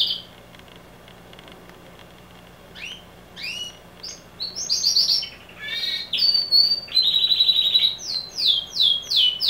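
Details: A single male canary starts with a soft note, then builds into loud rising chirps, rattling rolls and rapid repeated high notes in a continuous varied song.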